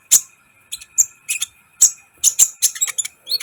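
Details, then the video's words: Sunbird song used to make other birds excited: sharp, very high isolated chips and short twittering bursts spaced irregularly, with a faint steady hum in the background. "Masteran KOLIBRI ninja gacor , agar CEPAT EMOSI"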